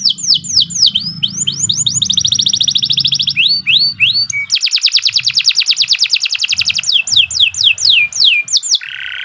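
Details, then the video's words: Canary singing a long, lively gacor song used as a training master: rapid repeated rising and falling whistled sweeps, fast buzzy trills and dense rattling rolls, ending on a steady held tone, over a low background hum. "Kicau Burung Kenari II GACOR PANJANG"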